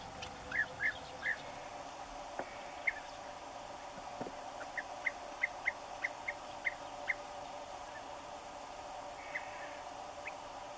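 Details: European bee-eater at its nesting site, where adults feed chicks, giving short, liquid rolling calls in loose series, roughly two a second, over a steady low background hum.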